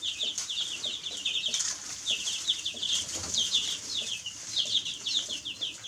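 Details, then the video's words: Baby chicks chirping together: many high, short downward peeps overlapping in a continuous chorus, over a steady background hiss. "Baby Chicks Chirping Sounds"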